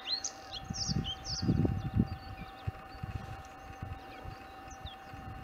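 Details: Bluethroat back on its breeding grounds on 4 April 2021, having returned at the end of March or early April. It gives short high whistled and chirping phrases over a heavy low rumble of wind or handling noise.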